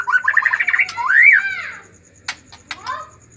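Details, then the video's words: White-rumped shama in agitated mood, singing to stir other shamas that are reluctant to sing: a fast run of buzzy chattering notes, then a loud arched whistle, followed by sharp clicks and a rising whistled phrase. "pancingan murai batu emosi"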